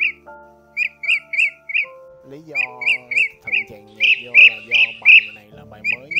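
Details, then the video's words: A Blue-throated bee-eater lure recording, mixed with music, gives short, rolling, mid-pitched chirps, about three per second in uneven bursts, over a steady musical backing. "Tiếng Chim Trảu Họng Xanh"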